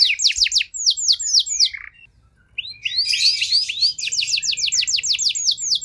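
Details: Canary (kenari) lure song meant to stir out-of-condition canaries into answering: a run of falling whistled sweeps, a brief silence, then a jumbled warble leading into a quick, evenly repeated trill.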